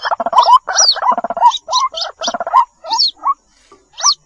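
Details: White-breasted waterhen lure call and chick sounds: fast, gargling, stuttering bursts of notes, then sparser rising mid notes and high descending whistles, fading into short gaps near the end.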